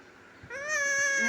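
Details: Pet parrot talking indoors, a single drawn-out nasal word-like sound, steady and harmonic-rich, rising slightly at the end after a brief quiet start.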